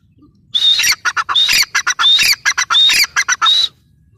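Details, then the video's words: Teetar calling loudly: grating, broadband notes, several with a thin rising whistle, repeated quickly and unevenly for about three seconds. "gray francolin teetar sound"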